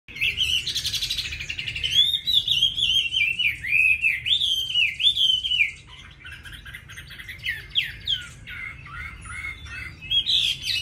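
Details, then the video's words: Caged Chinese hwamei singing a varied song of many forest voices: loud, rapid wavering whistles rising and falling in a continuous run, then a quieter stretch of scattered short notes before the whistling picks up again. "Mi hót hay đẹp cb8864c nhiều giọng rừng hay mau mỏ"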